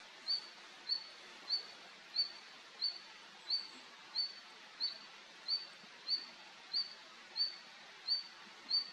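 A male red-flanked bluetail gives a thin, high, upslurred whistle, repeated steadily about every two-thirds of a second over a faint background hiss.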